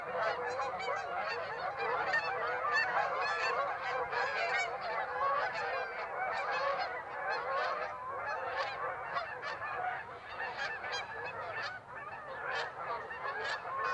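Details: Canada geese calling together at Birds Hill on 26 September, a busy flock of many overlapping nasal honks, roughly one clear honk a second, rising and falling without a break for the whole stretch.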